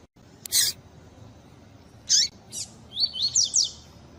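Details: Pure 'tui tui' double-collared seedeater song with female calls played to stimulate males. Several sharp calls come first, one slurring downward. Then a rapid string of four or five rising whistled 'tui' notes closes the passage.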